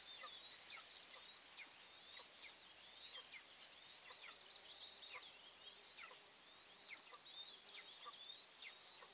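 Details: Two Eastern imperial eagle chicks in a pine-tree nest 20 m up, in an oil and gas area, at their first feeding of the day on June 29, 2024, give a steady stream of thin, high chips and rising squeals over a faint hiss.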